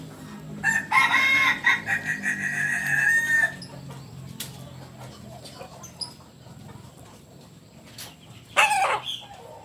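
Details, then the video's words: Kokok Balenggek rooster from Solok, West Sumatra, crowing: a loud harmonic opening call followed by a long held, level note near three seconds, then quiet, with a short burst near the end. "Ayam kukuak Balenggek"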